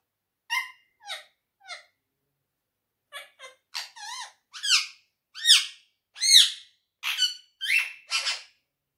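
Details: Pet quaker parrot, kept indoors, speaking: a string of short harmonic syllables with rising and falling inflections, about nine in a row, sounding like mimicked words in a small room.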